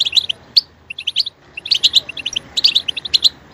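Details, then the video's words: European goldfinch singing: clusters of bright, bouncing chirps and twitters, a sharp higher note early on, the phrases coming in quick bursts with short pauses. "Stimulating a goldfinch clip to make it chirp in a loud and wonderful voice"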